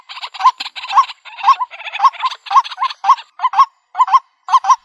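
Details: Trapping lure of a white-breasted waterhen in the country: gruff, raspy bursts alternating with short hooked nasal notes, about two per second, in a slightly uneven, stuttering rhythm.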